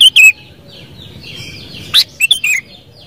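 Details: Sooty-headed bulbul with loud, liquid whistled notes. It opens with a falling pair, then gives a rising note and a quick run of three descending notes, over faint background bird chatter.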